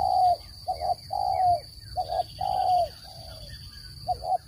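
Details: Trapping lure of a spotted dove, clean voice: a short double coo then a long mellow coo, repeated twice, ending with another quick pair of notes, faint high steady whine underneath.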